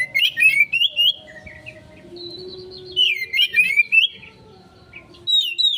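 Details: Oriental magpie-robin lure song, rapid rising whistled phrases in two bursts with a high whistle between, over a soft low hum.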